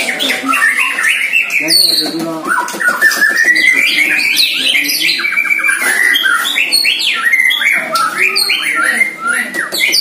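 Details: A one-year-old White-rumped shama competing in song with a neighbour's shama during early training: a long rising whistled line, then scratchy squawks and rapid trilled notes repeated across the stretch.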